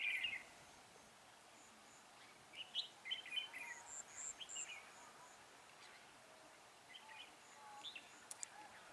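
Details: Red-whiskered bulbul singing during decoy trapping on 19 December 2016; a clear warbled note opens, then a cluster of quick, chirpy slurred phrases midway, fainter calls later, with a thin high tone and soft background hiss.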